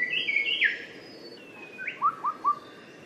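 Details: Little shrikethrush song used as a tutor recording: an opening burst of rich, warbled notes, a long thin whistle, then three clear downslurred whistles about a quarter second apart, in a quiet setting.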